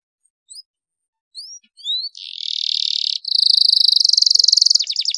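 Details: Canary song to stimulate other canaries to sing: scattered short rising chirps, then a dense buzzy burst, then a fast, steady, high rattling trill.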